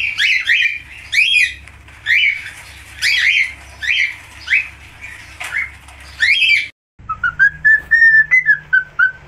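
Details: Budgerigar of the falk type chattering with squeaky repeated notes, then after a short break a cleaner series of even, whistled chirps in a steady row.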